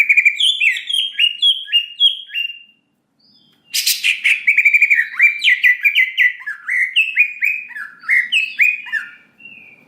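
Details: Greater green leafbird, used to provoke an emotional response, sings a rich run of whistled, slurred notes around mid-high pitch, repeated quickly, with a brief pause before a harsh burst and further varied, warbling phrases.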